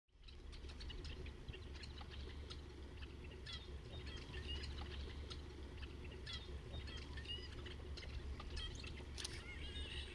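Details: Red-winged blackbird murmuration over the Napa wetlands: many short clicking and chattering notes overlap throughout, over a strong low rumble of wind or background noise.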